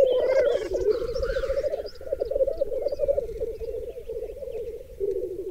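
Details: Black grouse (Lyrurus tetrix) males at a long-known lek of up to 30 males and 20 females on a raised bog in Berezinsky Biosphere Reserve, with females clustered around one male, give low continuous bubbling and cooing, with a few higher chirps and hisses early on.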